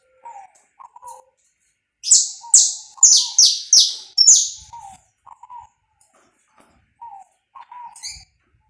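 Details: Live uncut recording of a saffron finch, pega pé style song: scattered soft low chirps, then a run of six loud, rasping, high notes sliding downward in quick succession, followed by more quiet low notes.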